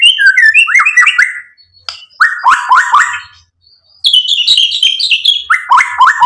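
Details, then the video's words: White-rumped shama song played to provoke and excite: bursts of fast repeated downslurred whistled notes, a quiet gap, then another rapid series and a high chattering phrase. "PANCINGAN MURAI BATU biar EMOSI NYAUT jadi GACOR"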